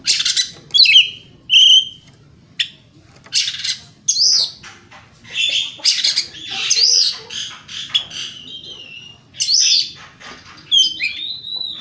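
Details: Oriental magpie-robin, locally kacer, in a provocation song meant to anger rival magpie-robins: rapid harsh rasps and scratchy bursts alternating with ringing whistles, phrases following each other almost without pause.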